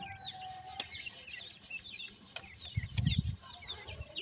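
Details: Grey francolin chicks held for sale in Multan produce a stream of short, high, down-swept cheeps. Loud rubbing and scraping noises break in near the end over a low hum.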